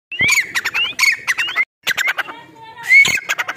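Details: A female grey francolin gives harsh, ringing squawks in a fast repeated series, with upslurred notes; the calling breaks off briefly, then resumes with a louder, shriller burst.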